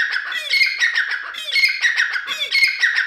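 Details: Grey francolin (dakni teetar) calling loudly, a harsh ringing phrase of shrill notes repeated about once a second, each ending with a short squeaky slur, three phrases in all.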